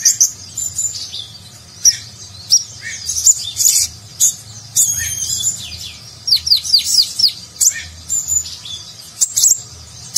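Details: Konin sunbird song in nagen style with rich fill-ins, used for tutoring competition birds: long run of high squeaky chirps, steeply falling whistled strokes and quick twitters, pausing briefly between bursts.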